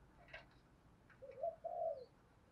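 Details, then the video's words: Spotted dove of the 'thổ' voice style, kept as a decoy whose coo is used to lure wild doves: a faint, low, hollow coo phrase of two or three smooth notes over a soft rustling background. "cu gay giong tho cuc dinh, chuẩn gáy gọi kích bổi nhanh gáy nổi nhanh"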